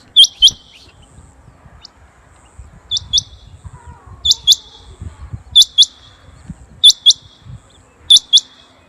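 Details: A rain quail's call, used for hunting: sharp, high metallic notes in quick pairs, repeated about every one to two seconds, over a faint low rumble.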